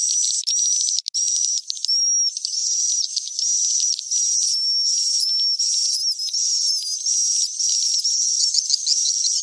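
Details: Swiftlet roosting call used in swiftlet farming, cave-crossing style: continuous shrill twitter with several overlapping whistled lines, some rising and falling, in short repeated phrases with almost no gaps.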